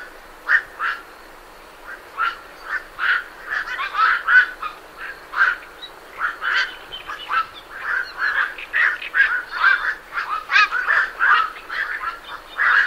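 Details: Several night herons leaving a roost together: a dense, overlapping chorus of short, harsh croaks, rapid and irregular, with great reed warblers singing in the background.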